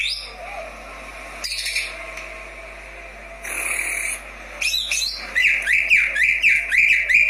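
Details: Greater green leafbird song used as daily training audio to stimulate lazy caged birds into singing: after quiet stretches and brief noisy bursts, a lively run of rapid, bright whistled chirps repeats densely toward the end.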